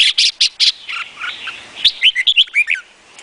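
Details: Song of a Vietnamese red-whiskered bulbul: opening clipped chirps, then a rapid run of bright, looping warbled notes sliding up and down.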